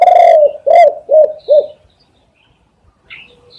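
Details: Lure recording of a spotted dove: a long opening coo followed by three shorter, evenly spaced hollow coos, then silence with a few faint high chirps.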